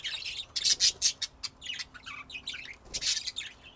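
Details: Budgerigars, Texas, USA, 2025: continuous high scratchy chatter with rapid buzzy chirps and short squeaky notes, louder bursts near the start and toward the end.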